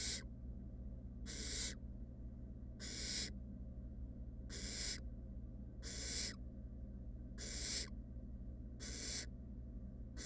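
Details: Three fluffy wild barn owl nestlings in a monitored nest box give harsh, breathy hisses, each about half a second long, repeated steadily about every 1.5 seconds, eight in all, over a low constant hum.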